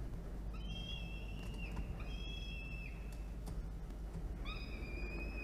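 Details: Peregrine falcon chick being fed at a water tower nest box, Orange, NSW, Australia, 24 October 2021: a few sustained high wails, the longest gently falling, with clicks and a strong background rush.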